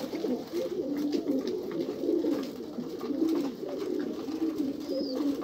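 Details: Continuous deep, rolling coos from several pigeons fill the recording, rising and falling in short phrases, with only a faint thin whistle near the end.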